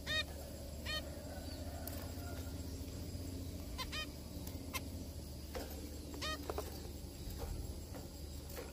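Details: Zebra finches eating and singing together: short, nasal, toy-trumpet calls repeated at irregular intervals over a low background hum.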